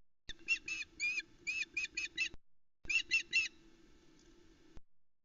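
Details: Calling female osprey at the Loch Arkaig nest in summer while chicks wait for the delivered fish; two bursts of shrill, slightly slurred yelps, around seven notes then three, over a soft low background hum.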